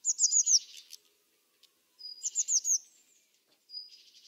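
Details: Blue tit phrases of rapid high chirps trailing into a scratchy buzz, repeated twice, with a pure whistled note leading into a churring rattle at the end; nothing else audible.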